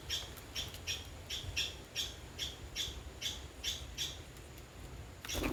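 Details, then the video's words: Two green parrots fighting on a food table in the jungle give harsh, scratchy squawks, about two a second for five seconds, ending in a louder burst, over a low background rumble. "Two Green Parrots fighting on Food Table"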